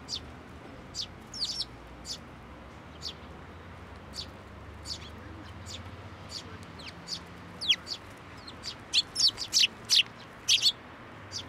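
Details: Sparrows flying to a person's hand to be fed at a Tenmangu shrine, 10 June 2024; scattered sharp chirps that grow busier and louder toward the end, with rapid overlapping tweets.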